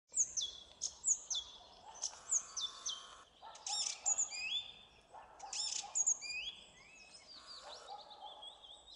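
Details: Song thrush (drozd śpiewak) singing on 2 April 2016 in Zabrzeg forest district near Bielsko, southern Poland; bright, high whistled and chirping phrases, some given twice in quick succession, separated by short pauses, with faint low background rumble.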